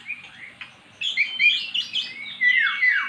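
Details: Magpie-robin that had never sung before, now singing after being coaxed with recorded magpie-robin song: a soft note, then a burst of bright whistled and warbled phrases ending in a long, clear, slightly rising whistle.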